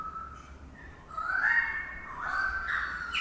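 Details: Currawong building a nest early in the morning above a birdbath in Sydney, giving drawn-out, slightly rising whistled calls of mid pitch, each lasting about a second, in quiet surroundings.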